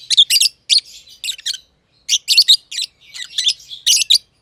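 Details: Two lovebirds, green personata and green pied personata, in their aviary giving loud scratchy high chirps in clusters, separated by a short silence midway.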